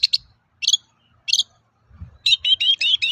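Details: Lure song of a long-tailed shrike, meant to get other shrikes singing: a few short harsh notes, then a linked run of five whistled notes that rise and fall.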